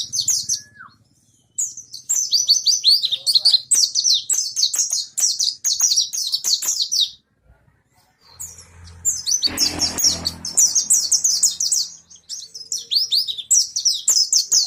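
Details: Oriental white-eye of the monty type from East Lampung, Indonesia, starting to sing vigorously again: rapid high twittering chirps in dense bursts, a short pause midway, then more lively chattering with a brief low hum.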